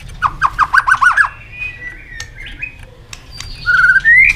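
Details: White-rumped shama song used to provoke contest singing: a quick series of about seven repeated looping whistles, then softer thin notes, ending in a loud rising whistled phrase.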